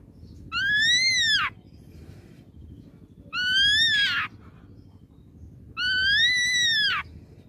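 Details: Ashy drongo lure call used to provoke a response: three rich, arched, whistled notes, each about a second long and spaced roughly every two and a half seconds, over a low background hum.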